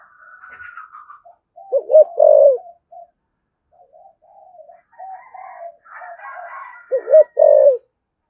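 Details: Thổ sấm spotted dove giving two low coo phrases several seconds apart, each a quick wavering note followed by a drawn-out mellow coo. Softer chirps and calls from other birds fill the gap.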